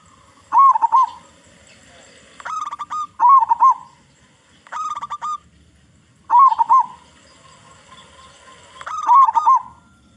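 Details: Loud song of a local zebra dove with a big voice, played as a lure to get other zebra doves singing. Rapid staccato cooing bursts repeat every few seconds, some opening with a warbling note, others sounding as short clipped series.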